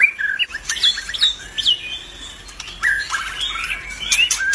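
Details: An albino white-rumped shama in full, lively song, delivering quick varied whistles, slurred upward and downward notes, and dry clicks in a continuous, busy stream.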